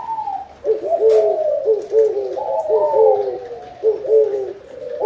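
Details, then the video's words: Spotted dove, its call tied to a plentiful harvest: repeated soft, low coo phrases with slightly rising and falling notes, stacked and overlapping, with a brief quieter dip near the start. "Tiếng chim cu gáy gọi no, mùa màng bội thu"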